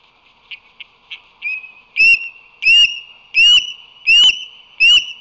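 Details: Osprey pair on a crane nest during incubation, April 28, 2024, the male bringing fish and sharing incubation duty: a few soft, short piping notes, then a loud run of sharp, high whistled chirps, each rising then falling, about one every 0.7 seconds.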